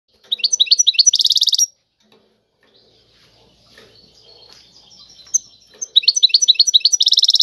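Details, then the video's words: European goldfinch singing in the tiwawati style: two bursts of rapid, high, tinkling twitters and buzzy trills, separated by a quiet pause of about four seconds that holds a faint thin warble. "اعظم تغريد الحسون طيواواطي"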